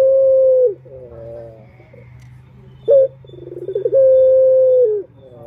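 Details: Male turtle dove call for luring males: long level coo, soft harmonic phrase, short loud note, quickening pulsed notes leading into a second long coo that dips at the close.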